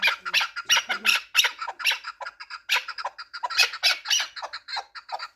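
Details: Four-year-old Pamir chukar partridge, a fighting and hunting bird, utters irregular bursts of loud, grating squawk-like notes, bunched in twos and threes with short gaps.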